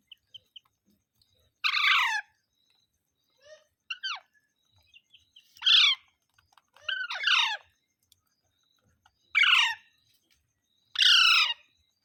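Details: Parrot calling in a loose series of harsh, downward-sweeping squawks, about six loud bursts spread over twelve seconds, with softer chirps and clicks in the gaps.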